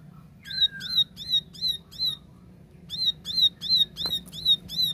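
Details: Plain prinia opening with a lower slurred note, then two runs of five high, sharply repeated chirps, steady in rhythm, with one click and a soft low hum.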